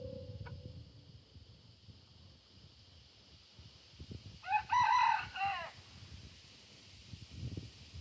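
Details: Crowing of a rooster at sunrise among farm ducks and goats: after quiet low rumbling, one loud crow of roughly a second with a wavering, buzzy tone and a short falling ending, then soft background thumps.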